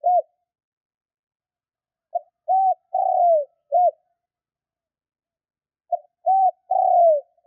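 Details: Spotted dove cooing in a fast, lively pattern used by keepers to provoke rival birds: a short note, a clipped coo and a long falling drawn-out coo, the phrase repeated after a silence.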